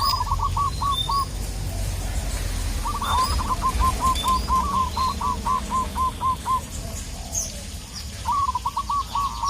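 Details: Local Indonesian zebra dove calling to provoke a rival: bursts of rapid, staccato cooing notes repeated in phrases, set against a rough, noisy background with scattered high chirps from other birds.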